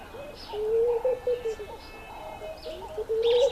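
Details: Laughing dove courting, trying to win a female's attention: a low, soft bubbling coo with quick rising and falling notes in two bursts, with faint chirps of small birds in the background.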